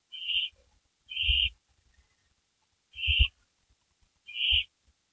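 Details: Owls on a porch shortly after midnight on May 3, 2012; four brief breathy screeches at uneven gaps of one to two seconds, accompanied by dull thumping knocks beneath several of them.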